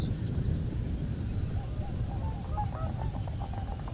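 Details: Common cranes calling at Heinä-Suvanto nature reserve, Viitasaari, Finland, on 26 April 2011: a run of short trumpeting notes builds in the second half over a steady low rumble of wind.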